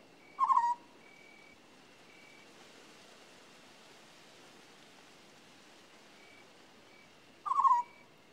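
An African scops owl gives two short, low purring trills about seven seconds apart, over a soft hiss of night insects and faint high tones.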